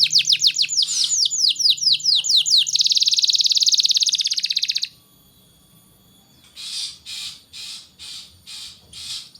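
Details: Canary song as a training tutor for young birds: quick slurred chirps, a dense fast trill, a pause, then six separate buzzy bursts spaced about half a second apart.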